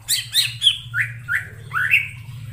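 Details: Greater green leafbird in wild forest giving squeaky, buzzy notes, then rising whistled upslurs, over a steady low hum.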